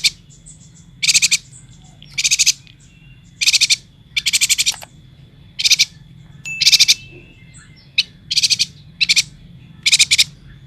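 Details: Yuhina from Kalimantan in full song. About nine short, loud, buzzy trilled bursts repeat every second or so, separated by brief pauses, with a faint steady high tone underneath.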